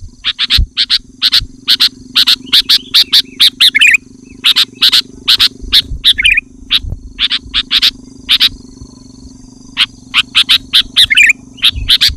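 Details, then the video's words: Dense, loud sooty-headed bulbul song meant to lure wild bulbuls and challenge rivals: a long stream of harsh chattering bursts, broken now and then by short bubbly, descending warbles, with low background hum. "Suara Burung Kutilang Gacor Rapat dan Lantang Menekan Lawan Kutilang lain Langsung ikut gacor"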